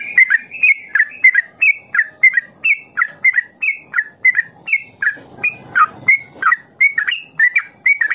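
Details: Sooty-headed bulbul giving ropel song to train young birds: quick, fairly regular whistled notes alternating rising and falling shapes, roughly two to three per second, briefly roughened by a noisy burst midway.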